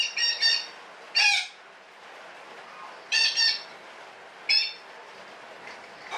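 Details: Parakeet giving a long cackling call: harsh, buzzy squawks with rich harmonics come in bursts, a pair at the start, then single and doubled squawks about every one to two seconds against a quiet hiss.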